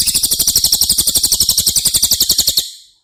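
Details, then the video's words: Cililin singing, a recording meant for tutoring caged White-rumped shamas: a shrill, fast chattering trill of regular pulses, about four per second, running steadily for over two seconds before stopping abruptly. "Masteran CILILIN Materi Wajib untuk Burung Murai Batu anda!!"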